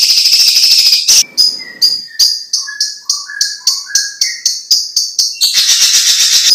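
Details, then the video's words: A greater green leafbird (cucak ijo) sings a run of short clear whistled notes, about four a second, wavering between low and high pitches over a steady shrill insect-like buzz; the recording is a master song for training birds. "Suara Cucak Ijo"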